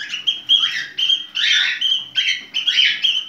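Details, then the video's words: Pet cockatiel in breeding condition giving its mating call: a steady string of harsh, scratchy squawks with a bright whistled core, each roughly a third of a second, repeated almost without pause, with faint low hum beneath. "Sultan papağan kızışma sesi"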